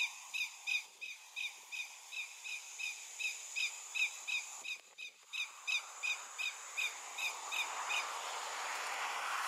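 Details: Adult Lesser Yellowlegs at Remire, French Guiana, 24 August 2023, 15:00, with a long run of clear, whistled "tew" notes, about three per second, over soft hiss; an alarm call nearby is from a Greater Yellowlegs.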